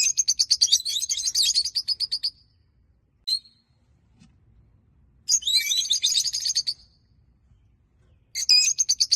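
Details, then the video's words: Small pet flock of peach-faced lovebirds, three lutino and two olive, chirping in bursts: a long run of rapid, high-pitched chirps, silence with a single squeak, then two further shrill twittering outbursts. "LOVEBIRDS SINGING AND CHIRPING SOUNDS"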